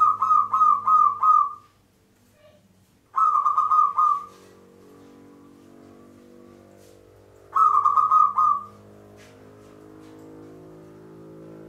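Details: Local zebra dove song played as a lure for trapping, in the Mataram pakem rhythm style: three loud phrases of quick stuttered coos near one pitch, each about a second long, separated by pauses with a low background hum.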